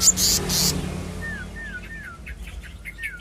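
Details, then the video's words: Black-naped monarch giving a run of four clear whistled notes that slide downward, spaced about half a second apart, following two loud clattering knocks, with a low hum and faint high ticking behind. "Selendang biru/kehicap ngombyok kemarin sudah bunyi"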